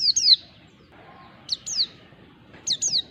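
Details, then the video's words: Soft mountain white-eye ngalas phrases played to coax a lazy bird into singing; three short pairs of sharp, high, downslurred chirps spaced about a second apart. "pancingan pleci ngalas bikin emosi lawan PLECI MALAS BUNYI LANGSUNG RESPON"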